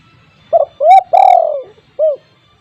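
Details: Spotted dove with a strong voice, calling eagerly as a lure for untamed doves: one clean phrase of a clipped coo, a rising coo, a long slowly falling coo and a separate short end note, in a quiet setting.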